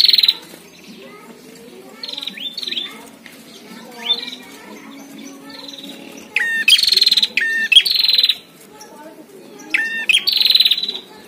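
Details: Prinias duelling, caged against wild: scattered soft chirps at first, then strong bursts of stacked buzzy, ladder-like trills in the second half.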